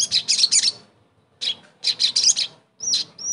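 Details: Sogon bird, a lure song meant to restart a mute bird's singing: bursts of quick high scratchy chattering separated by short gaps, closing with two clear, sharply rising whistled notes.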